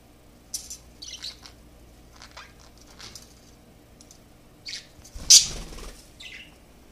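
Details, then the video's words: Parakeet getting excited at a mirror gives scattered, scratchy high chirps and squeaks in short bursts, with one louder sharp chirp near the end, in a quiet room. "Parakeet Singing at Mirror"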